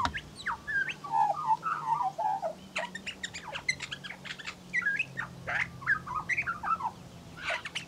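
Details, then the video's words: A female Australian Magpie of the western race (Gymnorhina tibicen dorsalis), on the ground tugging grass for her nest, mimics other birds: quick chirps, rising whistles and short squawky warbling notes over a faint steady hum. "A Western Magpie mimics other birds"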